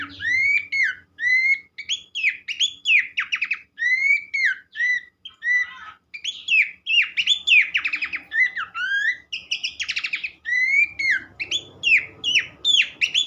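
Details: Horsfield's Babbler in full continuous song: rising whistles, rapid buzzy trills and chattering note runs alternate in quick succession, with faint low rustling, in a recording used as therapy to get other babblers singing.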